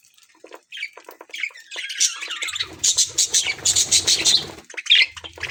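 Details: Budgerigars kept in an aviary, playing, singing and eating: scattered chirps build into a fast run of sharp repeated squawks, close together, then fade.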